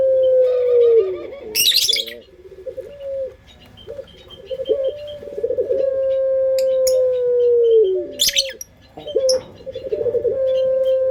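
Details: Puter pelung, a local Indonesian pet dove, giving lure coos: long level humming notes that bend down at the ends, with pulsed openings. A loud rustling burst comes early, and scattered bird chirps are audible.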